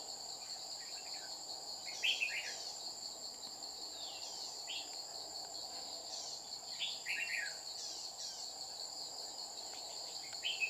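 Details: Red-whiskered bulbul of the Má lỡ type recorded 30 July 2019 while trapping, a wild bird coming down and repeatedly threatening the decoy; faint short warbled phrases recur every few seconds over a loud, steady insect drone.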